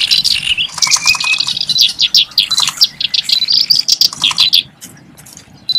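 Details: Kerak basi reed warbler delivering a lavish song said to resemble a Javanese sikatan londo. Fast, scratchy high twittering with a short rising whistle continues for about four seconds, then fades to quiet.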